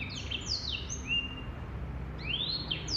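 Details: Sparse phrases from a male black-throated canary: a few drawn-out whistled slurs, some falling, some rising, separated by short quiet gaps.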